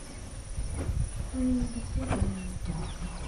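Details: Great Indian bustard displaying at Nannaj, a grassland stronghold, giving low, hollow tonal notes held briefly around one and a half and two seconds in, over a steady rural background hiss.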